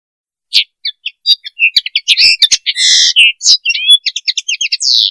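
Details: Common linnet (Linaria cannabina) mating call: a quick, varied twitter of high chirps, short trills and clipped whistles, some notes rising or falling, packed densely after a brief silence, with no other sounds.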